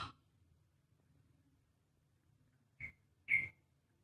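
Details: Male green junglefowl giving its characteristic brief, hoarse two-part crow, a short note then a louder, higher squeaky one, after a quiet pause; faint background hum.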